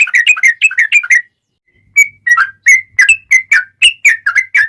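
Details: Male sooty-headed bulbul in fighting mode with long rapid song, meant as a lure to get other bulbuls singing: bright whistled chirps in a quick burst, a short pause, then spaced slurred notes about three per second.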